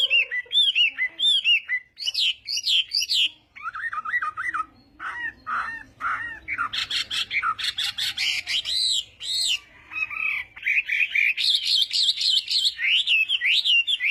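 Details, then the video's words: Morning practice song of a Chinese hwamei: rich, varied whistled phrases, fast repeated trills and slurred notes shifting between low and high pitch, nearly continuous throughout. "Hoạ Mi Hót Đấu /hoạ mi hót sáng luyện giọng"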